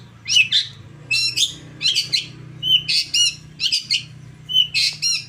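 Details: Long-tailed shrike (cendet) song as a stimulus for caged birds: paired harsh, rasping notes with brief whistled inflections, the pairs repeated roughly every second, over a steady low hum.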